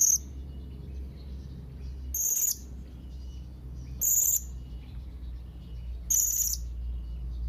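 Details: Young blue-crowned hanging parrot calling to rivals with single shrill, buzzy, very high calls spaced about two seconds apart, each a short harsh burst, over low background rumble.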